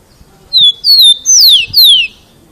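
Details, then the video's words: Rufous-collared sparrow song delivered very loudly to encourage other sparrows to learn to sing: four strong, pure whistles, each sliding downward, the last two steeper and longer, evenly spaced over about a second and a half. "CANTO DO TICO TICO muito alto"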